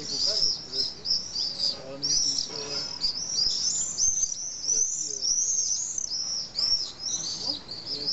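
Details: Near Nice, France, some twenty pairs of common swifts nest low in a retaining wall; a dense chorus of high piercing screams overlaps almost without pause, rising and falling in loudness.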